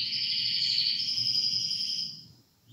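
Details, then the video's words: Two canaries singing together, giving a steady, buzzy high trill held for about two seconds before fading away. "Canary Bird Full Mode On world best Singing"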